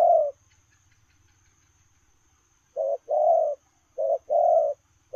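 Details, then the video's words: Spotted dove in 'lèo rồng' cooing style while on the move: one coo, a silent pause of over two seconds, then two more two-part phrases of a brief note and a longer low, husky coo. "Gù Lèo rồng vừa chạy vừa gù"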